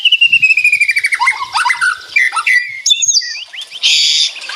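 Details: White-rumped shama in rattling ngeretek song, answering another bird: a fast descending series of whistled notes, then chattering rattles, sharp upslurred chips and a burst of harsh buzzy noise at the end.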